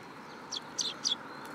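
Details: Sparrows landing on a person's hand at a Tenmangu shrine, 8 July 2022: three short, high, bright chirps in quick succession, each dropping slightly in pitch, over a faint steady background hiss.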